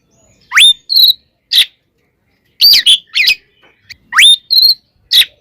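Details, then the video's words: Oriental magpie-robin delivering a fighting song used as a lure to agitate other magpie-robins: a steep rising whistle, a flat sustained note, then harsh chattering bursts, repeated. "SUARA BURUNG kacer gacor TARUNG KONSLET nembak ini AMPUH buat PANCINGAN KACER agar EMOSI SEKETIKA"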